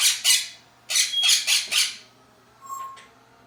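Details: Harsh, raspy squawks in a rapid run from pet parrots, a Quaker parrot and an African grey kept indoors, followed by a short, clear whistled note as the squawking stops.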